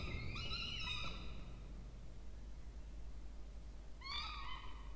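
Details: Two Peregrine falcon chicks in a water-tower nest box in Orange, New South Wales, Australia, begging while fed on 20 October 2024; one drawn-out harsh whine, three seconds of quiet with hum, then a second short wavering cry.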